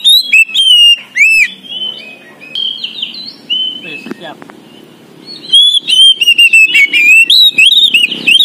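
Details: Oriental magpie-robin, poci type, in full lively song. Loud ringing whistled notes and quick up-slurs in bursts, broken by softer twittering mimicry-like phrases in the middle, then rapid repeated whistles. Soft conversation beneath.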